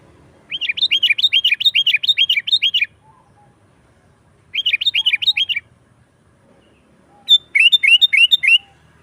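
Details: Sooty-headed bulbul singing actively, a lure for wild birds and a tutor for caged ones: three bursts of rapid, cheerful chirping phrases separated by pauses, the first longest, the last slightly thinner and higher.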